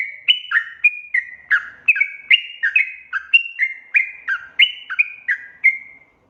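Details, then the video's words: Energetic trucuk (yellow-vented bulbul) song used as a lure to set untrained birds singing; steady, liquid, gurgling whistles tumble up and down in pitch, about two to three notes per second, with a final drawn-out note. "panggilan suara trucukan gacor efektif untuk pancingan burung trucuk bahan agar bunyi"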